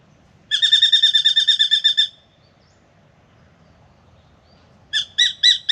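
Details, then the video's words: Spangled drongo singing near a birdbath in Australia on a morning visit for a drink: a quick rattling trill of metallic notes for about one and a half seconds, silence, then four slower, loud ringing notes. "Beautiful Spangled Drongo sings and comes for a drink"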